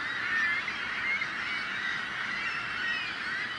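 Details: Seagulls clamouring to frighten off predators; uninterrupted mass of overlapping nasal cries, with a couple of thin rising squeals early on.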